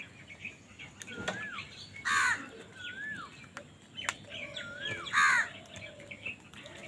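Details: Crow fighting other wild birds for food, giving two loud, harsh caws about three seconds apart. Sliding whistled calls and chirps from other birds are heard throughout.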